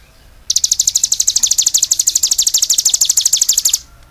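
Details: Cigun in full song: a single sustained trill of rapid, high, evenly spaced chirps lasting about three seconds, then quiet.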